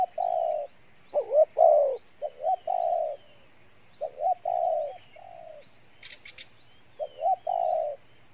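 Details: Spotted dove decoy with good, fairly strong cooing in the Pha Bài Lối style. Paired short notes and long steady low coos repeat, with one loud wavering coo, faint distant chirps and a brief high rattle.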